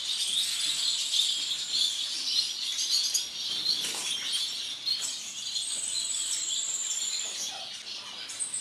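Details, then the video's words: Masked lovebird of violet mutation in a breeding collection, chattering continuously in high twittering chirps and squeaks, with a sustained thin whistle midway and irregular bursts of sharper notes. "AGAPÓRNIS PERSONATA VIOLETA"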